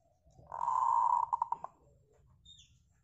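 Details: Local zebra dove song played to make other birds sing: a long, steady coo that breaks at its end into four quick stuttered pulses, over a low background hum.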